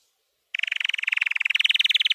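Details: Training song of a white canary: after brief silence, a rapid, steady rolling trill of evenly spaced pulses that grows a little louder toward the end.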